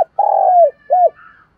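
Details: Single spotted dove coo phrase, used to provoke wild doves: a long, purring low note sliding downward, then a short rounded coo, with a faint higher tone trailing after.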